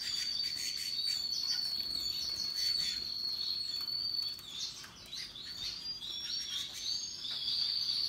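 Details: Russian yellow and Timbrado canaries happily singing alongside other birds, a dense chorus of high whistled notes and trills with a sustained bright tone running nearly throughout, varied chirps layered above and below it.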